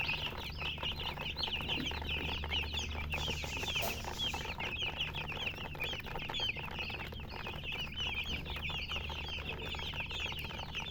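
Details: Loud, busy chirping from a group of chickens, countless quick high peeps overlapping without pause, with a low background hum and a brief soft thump near the middle.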